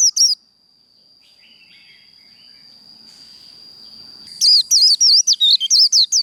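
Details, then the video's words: Japanese white-eye giving its 'líu đấu' fighting song: a brief high note, a long quiet stretch with a steady thin whine, then a fast run of sharp, high, wavering chirps packed closely together. "Vành khuyên líu đấu"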